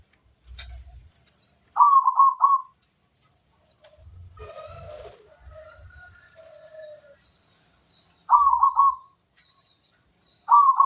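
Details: Zebra dove, a local crossbred bird, singing: three loud, rolling, bubbly coo phrases, each about a second long, spaced several seconds apart, with faint chirps of other birds and low rumbling between them.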